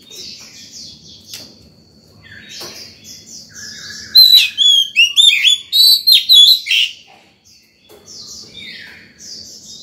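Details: Morning singing by an Oriental magpie-robin in breeding condition, for calling wild birds and training young birds; soft chirps lead into about eight loud, evenly spaced whistled notes, then quieter twittering.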